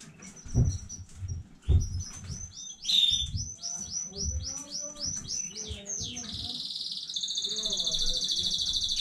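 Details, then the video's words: A newly home-bred canary recorded 15.05.2019 sings a fast, even series of high chirped notes that ends in a long, dense, buzzy rolling trill, with soft low rustling underneath. "KANARYA ÖTÜŞÜ YENİ ÜRETİM HANEDEN 15.05.2019 CANARY SINGING"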